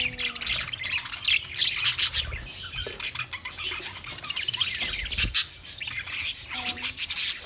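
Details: Budgerigars keep up a harsh, dense, high chatter of squawky chirps and warbles, with a short low tonal note now and then.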